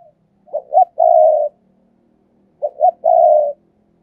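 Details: Caged spotted dove used as a decoy, calling to lure: two phrases of two short rising notes and a long, steady, low coo, repeated after a pause, with faint low background hum.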